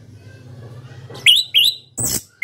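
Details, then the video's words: Caged orange-headed thrush, a national champion contest bird from Indonesia, giving short bursts: two bright slurred whistles rising to a high squeak, then a harsh broadband rasp; low steady hum underneath. "KICAU ANIS KEMBANG NGEPLONG JUARA NASIONAL"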